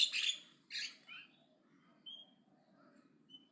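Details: Aggressive, loud-chattering Javan myna: two harsh rasping squawks in quick succession, followed by a few thin, pure whistled notes and quieter grating sounds.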